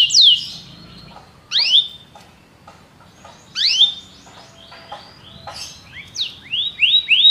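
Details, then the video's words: Belgian canary singing in separated phrases: sharp descending whistles, soft chatter between, and a closing run of three quick rising notes. "canário belga cantando"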